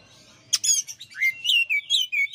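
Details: Oriental magpie-robin, a champion kacer, on a master song recording, opens with a harsh buzzy burst, then strings together clear whistled phrases that rise and fall, each note short and ringing, delivered in a steady quick sequence.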